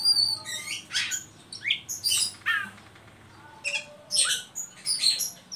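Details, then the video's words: Ngeriwik call from an Oriental magpie-robin, used to stimulate young birds to sing: dense, harsh, squeaky chirp bursts repeated about once a second, with a brief pause midway. "Suara burung Kacer ngeriwik pancingan ampuh buat Kacer bahan"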